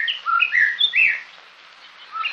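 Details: A male White-rumped Shama, living in a nest box in Bavarian woods at a research centre, sings rich, varied whistled phrases proclaiming his territory, rising and falling for about 1.5 seconds, then pausing.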